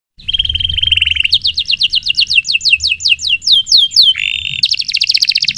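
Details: Canary song used as a lure and tutor recording for training other songbirds: fast tours of a steady high trill, then quick repeated downslurred whistles about six per second, a brief buzzy phrase, and another rapid trill.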